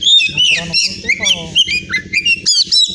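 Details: Caged Oriental magpie-robin (kacer), a winning bird from Pemalang, Central Java, Indonesia, pours out loud varied whistles, upslurred and downslurred notes and quick trills in a tumbling phrase, with low background chatter of people.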